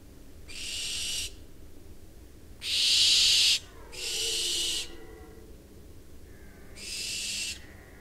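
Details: Two barn owls in September give four harsh, breathy hisses, each lasting under a second, spaced a second or two apart against a quiet background.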